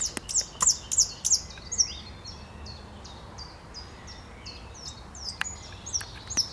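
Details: Thrush nightingale song recorded 8 May 2022, opening with five loud, high, sharp clicking notes in quick succession, then a quieter stretch of thin, distant chirps and scattered clicks from other birds.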